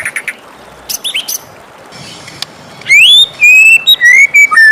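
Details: White-rumped shama morning song: scattered short chips, then loud pure whistles, one rising sharply and others long and level, stepping lower toward the end.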